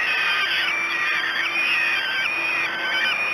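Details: Falcon chicks begging at breakfast at Great Spirit Bluff, 06:54, 5 June 2016: dense, overlapping raspy screams with wavering, arching pitch, continuing steadily throughout.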